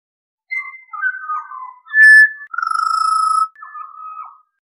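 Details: Flowing Pied Butcherbird song: warbled fluted notes, a loud bright whistle, then a long ringing tone and a softer trailing whistle.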